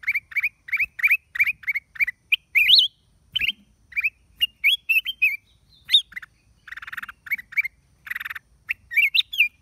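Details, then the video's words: Black-crested bulbul, recorded 29 December 2023, giving a lively run of short, bright chirps and rising whistled notes, several per second, mixed with a few harsher buzzy calls. "เสียงนกปรอดเหลืองหัวจุก นกหัวถ่าน"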